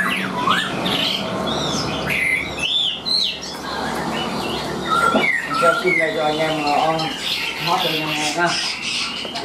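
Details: Tame Chinese hwamei, a caged bird that sings on the hand, pouring out a rich jumble of looping whistles and warbled notes. A human voice and room noise run underneath.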